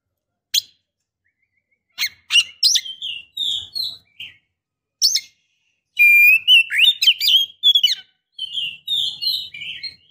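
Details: Calling female Oriental magpie-robin in breeding condition, aimed at a male: scattered sharp ticks that build into a long, rapid string of varied whistles and scratchy chirps.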